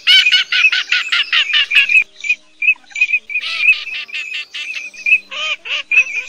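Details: Male and female Eurasian teal used as a night net-trapping decoy in the August 2024 migration season give a fast chatter of clipped, high nasal notes, then short piping whistles spaced about every half second.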